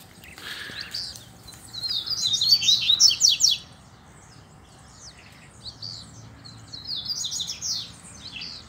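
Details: Caged double-collared seedeaters singing in competition with a free-flying male outdoors; two song bursts, each a whistled lead-in followed by rapid, buzzy, high trilled notes, with a quiet gap between them.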